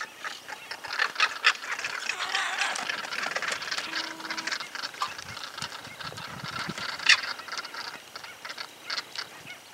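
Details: An owl (lechuza) in rural groves of Santa Fe, Argentina, 2023, whose voices include alert calls and a hiss, gives harsh, breathy hissing screeches in rough bursts over several seconds, with a few sharp clicks.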